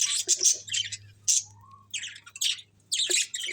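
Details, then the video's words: Chattering budgerigars in short scratchy bursts separated by brief gaps, with one soft rising whistle in the middle and a low electrical hum throughout. "Cute Budgies Chirping Sounds"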